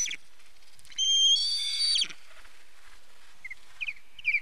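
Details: Osprey during a fish delivery by the male at the nest, 4 September 2019: one sustained, whistled, harmonic cry, followed by a few soft, short chirps.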